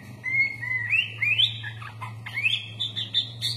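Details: Kutilang, the sooty-headed bulbul, giving rising whistled phrases in a lively full-fill song, separated by short pauses, over a constant low hum.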